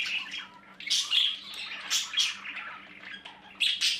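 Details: Baby budgerigars in the nest box making scratchy, hissing squawks in loud bursts about every second, separated by quieter raspy chatter, with a faint low hum in the room.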